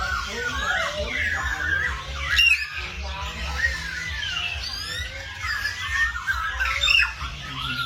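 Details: Birds singing in the morning, a relaxing scene: many overlapping whistled and chirping phrases, rising and falling, fill the air continuously with a few sharper squawk-like notes, over a steady low hum.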